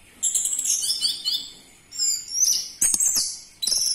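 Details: Orange-headed thrush song used to provoke captive birds to sing: loud, fast, varied high warbled phrases and sharp chirps in bursts, separated by brief pauses.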